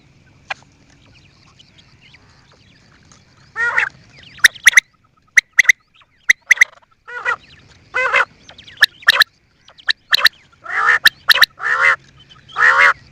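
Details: Quail calling steadily: raspy, nasal croaks and sharp clicks in an irregular series that becomes denser toward the end, over a low hum.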